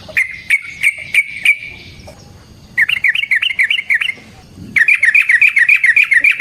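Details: Yellow-vented bulbul in fighting song, a lure to excite other birds: spaced sharp notes give way to two rapid bursts of rolling, bubbling chatter, with a pause between.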